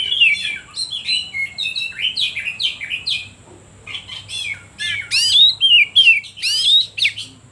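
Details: Lure song of an oriental magpie-robin, meant to rouse other birds and coax reluctant singers. Rapid, varied chirps and slurred whistles pour out, dip briefly around the middle, then return as loud sweeping upward whistles over a faint constant high hum.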